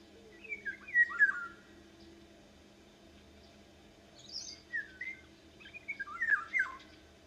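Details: Female Eurasian golden oriole uttering slurred, descending whistled phrases in short clusters, one near the start and a busier group toward the end, with a brief higher note between them in an otherwise quiet setting.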